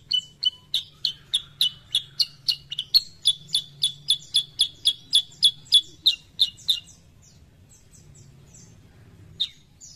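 Sooty-headed bulbul giving a quick run of about twenty sharp, high chirps, roughly three a second, then a pause and one last note over a low hum.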